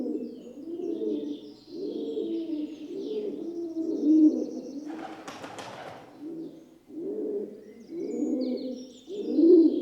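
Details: Gentle cooing of a rock dove (pigeon): a run of low, rounded coo phrases about one per second, broken midway by a short burst of broadband noise, then resuming; faint high bird twitters behind.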